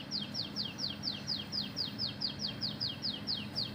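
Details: Oriental magpie-robin giving canary-filled song: an even sequence of clear, high whistles, each sliding steeply downward, about four per second, over a low constant hum.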